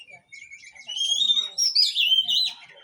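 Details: Oriental magpie-robin song meant to get a silent bird singing again: a long, steady whistle rising into a bright, warbling run of sweet slurred notes, with faint chatter behind.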